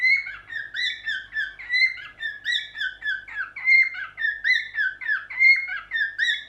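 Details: Cockatiel, which likes to look in a mirror when singing, sings a continuous run of clear whistled notes, rising and falling without pause.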